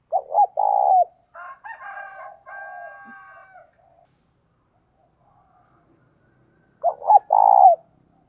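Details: Decoy spotted dove used to lure wild doves, giving low hollow coo phrases at the start and end, each made of short notes leading into a longer note. Between them comes a higher, more nasal call with several stacked tones.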